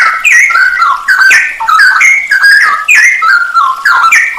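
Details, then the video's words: Masteran song of a straw-headed bulbul (cucak rowo), full isian nembak style: rich, loud warbled whistles that jump between notes, steady and dense throughout. "masteran cucak rowo full isian nembak"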